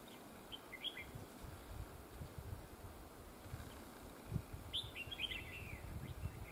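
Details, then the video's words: Red-whiskered bulbul caught during trapping, praised for a very fine voice with a linked double song. A short whistled note comes near one second, then a bright, warbled phrase of several quick notes around five seconds, over steady outdoor background noise. "Bẫy chào mào GIỌNG CỰC HAY CÓ GIỌNG KÉP NỐI"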